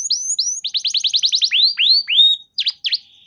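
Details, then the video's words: Canary song for luring other canaries to sing: a few rising whistles, a quick trill, slow upswept whistled notes, then two sharp V-shaped notes. "Pancingan Burung Kenari Macet Bunyi! Ampuh Bikin Kenari Lain Langsung Respon Terpancing bakal Gacor"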